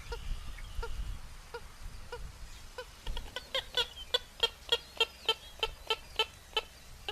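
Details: Purple gallinule calling: a run of sharp, clipped clicking notes that begin sparse and soft, then grow louder and quicken to roughly three per second, with a low rumble in the background early on.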